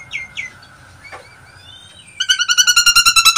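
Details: Nias hill myna lure call to provoke other mynas. Two short upslurred whistles and faint background notes, then a sudden loud series of rapid, evenly repeated ringing notes, about five per second.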